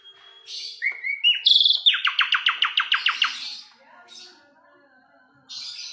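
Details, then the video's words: Asian pied starling: a few whistled and buzzy notes lead into a rapid, evenly paced series of about a dozen scratchy chattering syllables, ending with softer noisy bursts. "KICAU JALAK SUREN MANTUL"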